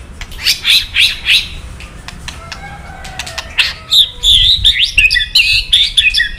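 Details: Provocative kretekan from a white-rumped shama, used to make silent males reply: three rough chattering bursts, soft low whistles, then a busy stream of wavering high notes.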